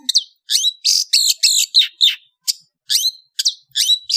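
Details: Afternoon singing by an Indonesian long-tailed bird: loud, harsh, scratchy phrases mixed with sharp whistled slurs, repeated in quick, uneven bursts about three times a second, with no other sounds.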